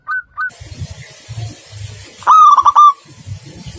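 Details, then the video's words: Two short coos from a local zebra dove in song, then a louder rolling phrase of rapid linked notes. Low thumping sounds are heard behind. "Perkutut Lokal Gacor"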